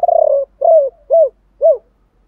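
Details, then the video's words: Spotted dove decoy bird calling in the three-ending 'gọi ba hậu' pattern, 'thổ pha' voice: a rolling, quavering coo followed by three separate arched, mellow low coos, evenly spaced, with a clean background. "Tiếng gáy gọi 3 Hậu. chim cu gáy mồi gáy gọi ba hậu giọng thổ pha"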